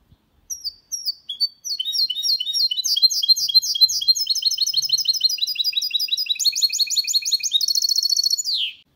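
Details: Singing goldfinch-canary mule, a clean 2022 song meant to stimulate males and tutor chicks: a few separate chirps, then a long rapid run of high twittering notes shifting into buzzy, very high trills near the end.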